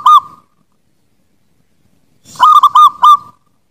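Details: Master song of a zebra dove for bird training: a brief note, a long silence, then a loud phrase of four quick, ringing coos at an even pitch that trails into a held tone.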